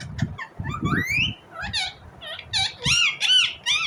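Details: A rose-ringed (Indian ringneck) parakeet chirps in quick, squeaky bursts, with rising and arching notes, some harsh and shrill, broken by low thumps.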